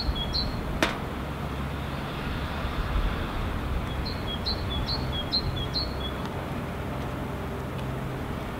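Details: Great tit in Helsinki, Finland, February 2016, unseen, giving its two-syllable song: high thin two-note units, a brief pair then a run of four, against steady low-pitched traffic noise and a sharp click.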